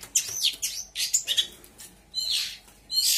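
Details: Long-tailed shrike from Lampung mimicking other birds: loud harsh raspy notes alternating with quick whistled slurs, ending in broad scratchy bursts.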